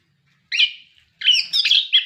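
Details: Orange-headed thrush giving short buzzy, warbled song bursts, one brief phrase then a longer scratchy one, as a recording to encourage caged birds to sing.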